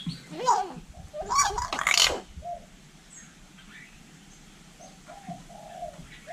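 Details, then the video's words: Hill myna in Vietnam imitating human speech: a voice-like, wavering harmonic phrase of about two seconds with sharp high squeaky notes at the end. Softer short whistled notes and faint background noise follow. "Chim nhồng nói tiếng người cực đỉnh"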